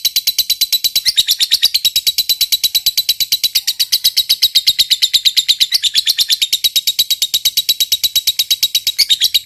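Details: Fighter lovebird delivering a long, unbroken ngekek chatter: very regular, rapid, shrill and rasping notes, about three per second, sustained for nearly ten seconds without a pause.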